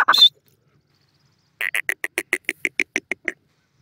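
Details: Grey partridge calling: a brief high squeaky burst, then after a pause a run of about fourteen short, harsh, evenly spaced notes delivered roughly eight per second, fading slightly toward the end; otherwise quiet.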